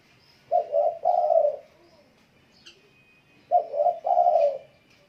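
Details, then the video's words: Spotted dove singing well, two cooing phrases about three seconds apart, each a quick double coo followed by a longer descending coo, with faint background twitters. "tarkuku gacor"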